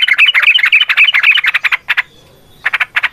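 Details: Yellow-vented bulbul giving a long, rapid 'ropel' fighting-style song meant to lure other bulbuls into singing: a fast run of bubbly, chattering notes, then a brief pause and a few separate sharp chirps.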